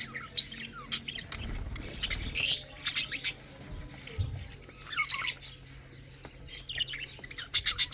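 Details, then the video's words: Lovebird chicks eating and drinking, giving bursts of rapid high scratchy chirps and squeaks in clusters every second or two, interspersed with soft tapping and a low steady hum. "Lovebirds chicks eating and drinking"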